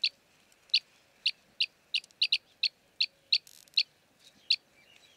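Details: Arabian green bee-eater (Merops cyanophrys) in Jeddah, Saudi Arabia, chirruping: short, sharp, high chirps, singly or in quick pairs, at uneven intervals of about half a second, over a faint steady hum.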